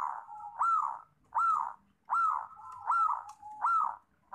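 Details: Local zebra dove calling with short rolling, upward-swooping coo notes repeated roughly every three-quarters of a second in a steady rhythm, quiet surroundings.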